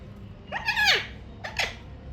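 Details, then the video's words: Indoor Alexandrine parakeet uttering a brief talking phrase: a drawn-out, arching voiced syllable followed by a shorter clipped second note, slightly rough in tone, against faint room noise. "Alexander parrot saying mummy mithu"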